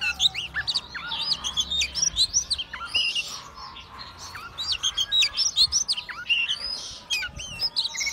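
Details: White-rumped shama opening its tail and swaying as it sings a dense, energetic string of varied high whistles, clicks and slurred phrases, nearly unbroken, over low background noise.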